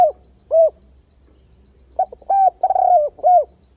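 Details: Spotted dove coos used to provoke rival doves into a trap, sung with switching tones and repeated bo: two separate hollow coos, then a stammering burst that slides into a sustained croo and a last rounded note, with a faint electronic-like whine.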